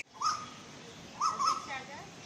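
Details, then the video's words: Female Asian koel calling: short sharp piercing notes, one near the start and then a quick pair about a second later, over a soft steady background hiss. "Sound of Female Koel indian cuckoo Sound"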